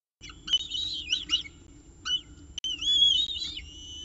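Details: Peregrine falcon at its Orange nest with breakfast, October 2018; a few clipped, wavering high notes are followed by one long, undulating whistled wail, the background otherwise quiet.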